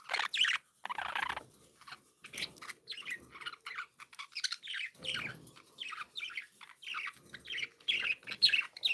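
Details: Happy pet budgies in a steady stream of high, quick chirps and warbling chatter. Several rapid bursts come per second, with short gaps and no other clear sounds.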